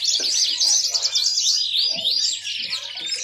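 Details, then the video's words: Dense, high-pitched warbling from a yellow-fronted canary, packed with rapid chirps and a rolling trill, over a low hum and a few dull knocks. "Ocehan burung mozambik"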